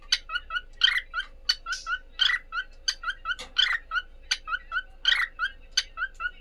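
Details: Pair of pet cockatiels calling back and forth: rapid bursts of short, sharp chirps with layered harmonics, loud clusters alternating with quicker softer notes, steady and repetitive throughout, with a faint steady hum beneath.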